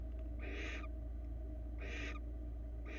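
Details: Barn owl pair at a Florida nest cam, the male bringing rabbit prey to the female; three loud hissing screeches spaced over a second apart, broad and rough, above a steady electrical hum.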